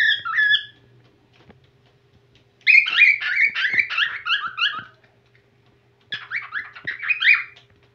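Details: Whiteface cockatiel starting to sing again: a short burst of whistled, warbling notes, then two longer runs of quick, wavering whistles, up and down, in rapid succession with brief pauses between phrases.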